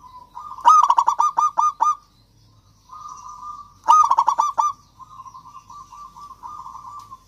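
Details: Zebra dove of local stock singing as a lure to prompt reluctant doves to sing. Two loud bursts of six to seven quick, rhythmic cooing notes, each followed by a softer sustained trilling buzz.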